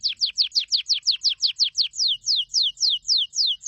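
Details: Canary singing a quick series of downward-slurred whistles that slows midway, the later notes longer and spaced about a quarter second apart.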